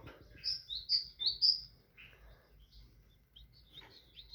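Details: Tit singing: four clear high whistled notes alternating high and slightly lower, paired like 'see-too, see-too', over about one second, followed by fainter softer notes and low background hum.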